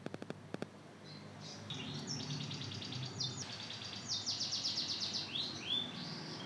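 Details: Two-month-old young hybrid of Mozambique canary and canary learning to sing: after a quiet start with a few low knocks, soft twittering chirps and slurred rising notes run on, growing into a rapid burst of repeated chirps.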